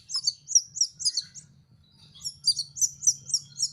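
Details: Young canary learning to sing, producing two runs of high, quick, repeated chirping notes about four per second, separated by a short pause, over a faint low hum.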